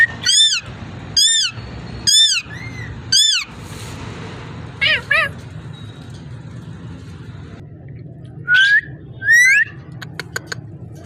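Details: Four loud, evenly spaced harsh squawks from a ringneck parrot, a brief chatter, then quiet before two rising whistle-squawks and a few soft clicks; low steady hum throughout.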